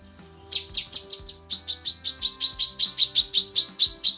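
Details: Female lesser green leafbird calling for a male: a few loud buzzy notes, then a steady run of crisp high chips repeated about four times a second. Soft low tones in the background.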